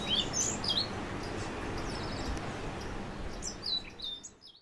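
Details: Orange-billed nightingale-thrush singing: brief squeaky, warbled phrases of high twisting notes open the recording, then a quiet gap, and another short jumbled phrase near the end, all over a steady broadband background hiss.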